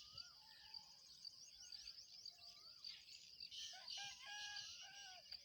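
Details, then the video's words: Black francolin (kala teetar) calling in the breeding season: faint, drawn-out harmonic notes that slide and waver, several overlapping phrases, over a steady high insect drone. "کالا تیتر کی آواز سیزن مستی کی بولائیاں"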